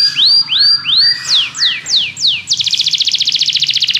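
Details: Singing Belgian canary, used for training other canaries: three rising whistled notes, four sharply falling sweeps, then a dense, very rapid high trill.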